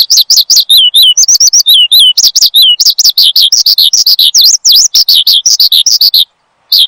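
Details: Rapid, unbroken song of a Horsfield's bushlark kept in a cage, used as training and lure sound: rising and falling high whistled notes, some hooked downward slurs and sharp V-shaped chirps, stopping suddenly near the end.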